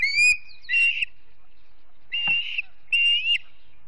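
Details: Osprey at the Charlo, Montana nest, September 7, 2016 morning, via a live stream camera; three separate clear whistled notes, each about half a second long and slightly rising, with quiet gaps between.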